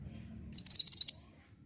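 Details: Mantenan orange bird in song, kept as a tutor recording for white-rumped shama: five loud, piercing chirped notes in rapid sequence, ending abruptly.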